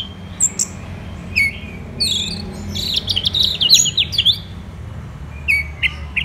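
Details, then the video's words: Orange-headed thrush in Kubutambahan, Bali, during the morning: sparse sharp chirps, then a quick stuttering volley of high whistled notes, and a few final spaced chirps. "ANIS MERAH Gacor dan Teleran Suaranya Bikin Burung Yang Awalnya Malas Bunyi Ngedrop Bahkan Macet"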